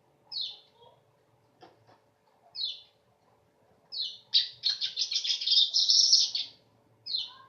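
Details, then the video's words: Sharp downward-swept high notes from a weaver lead into a loud two-second buzzy sizzling trill, then another swept note; faint low rumbling underneath. "Beginilah Kicau Burung Manyar"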